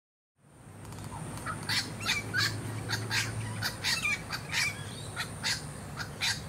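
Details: Masked lapwing, also called spur-winged plover, on the Sunshine Coast, Queensland, in January 2022, giving a run of harsh, sharp notes repeated about every third of a second after a quiet start, over steady low rumble.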